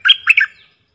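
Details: Decoy bulbul, one of four caged birds in the forest, utters a short, loud, bubbly three-note phrase with a fading slurred tail.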